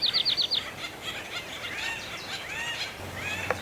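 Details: Acorn woodpeckers during mating season at Effie Yeaw Nature Center, 2025, amid a commotion between three trees: a rapid series of five loud, harsh, descending notes, then softer overlapping chatter and squeaky calls from several birds.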